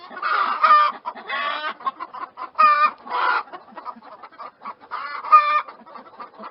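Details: Chickens call in a dense mix of loud drawn-out squawks and rapid soft clucks, the squawks coming in pairs about every one to two seconds.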